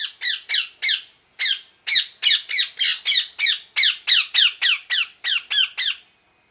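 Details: Parrot squawking in a fast, harsh series of about twenty loud calls, each a short, grating burst that falls in pitch and is layered with rich overtones. The calls come almost back to back, with one brief pause after the first second.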